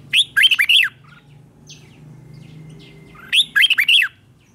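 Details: Caged red-whiskered bulbul singing its morning training song: two short bursts of three or four loud, warbling notes, separated by about two and a half seconds of quiet with a faint low hum.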